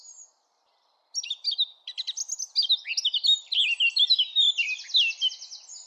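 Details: Eurasian blackcap singing in a sunny park: after a brief silence a lively warble of rapid chattering notes runs into clear whistles and ends in a fast buzzy trill.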